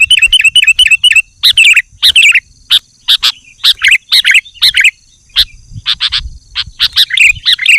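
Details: Sooty-headed bulbul, loud and dense song meant to lure wild bulbuls and provoke rivals: a run of five quick identical chirps, then scattered sharp bright notes and short warbled phrases, loud and close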